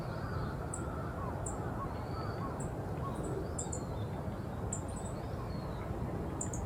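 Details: High, clipped single and paired ticks from a wild Yellow-throated bunting at the former heliport in Osaka Castle Park, Japan, spaced irregularly, over heavy low urban rumble and soft background birdsong.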